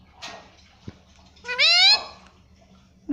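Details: Pet parrot talking, saying "mummy": a faint short call, then a louder harmonic-rich word that rises and slides upward near the end, followed by quiet.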